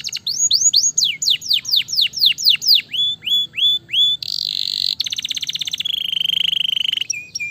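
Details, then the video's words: A Gloster canary in fast, dense, aggressive fighter-style song: a run of sharply falling whistled notes, then shorter slurred whistles, a harsh buzzy burst and rapid rattling trills. "KENARI GLOSTER GACOR SPEED RAPAT"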